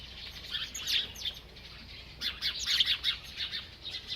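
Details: An eating bird chirps in two rapid bursts of bright, high notes separated by a short lull, with faint wing sounds.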